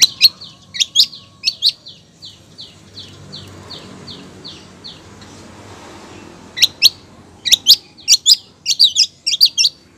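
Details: Female long-tailed shrike calling a male: opening sharp chips, then a run of soft evenly spaced descending notes fading out, a quiet pause, and finally dense bursts of sharp high chatter.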